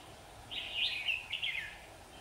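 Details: Red-whiskered bulbul recorded at a trap on 27 September 2019, where the birds fought and tumbled to the ground; one continuous, liquid warbled phrase lasting over a second with rapid slurred notes, ending in a falling twist.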